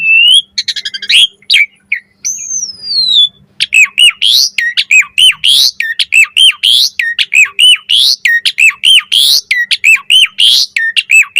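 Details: Asian pied starling song, recorded to lure starlings and teach them varied phrases: opening whistles and a long falling note, then a steady, rapid run of harsh squawking notes with looped overtones for the rest.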